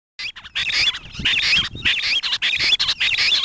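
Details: Grey francolin recorded in 2010: loud, harsh, rasping bursts repeated in quick succession, each about a quarter to half a second long, with short gaps and a faint thin whistle riding on some notes.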